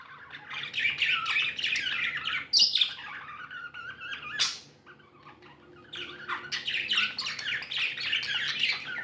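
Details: Happy domestic budgerigars chirping: fast, dense warbled chatter, a loud harsh squawk early on, a sharp click-like burst, a quieter lull, then renewed busy twittering.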